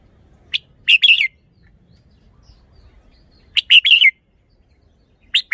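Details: Red-whiskered bulbul showing off its song phrasing: two bright, quick phrases of three or four whistled, slurred notes, with the start of a third at the end. Quiet in between.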